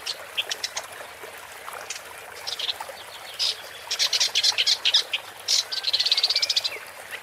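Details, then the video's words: ['Woodchat shrike song: sparse high ticks at first, then clusters of dry clicks and a fast buzzy rattle of about a dozen notes near the end.'] "Woodchat Strike (Lanius Senator) Bird Song"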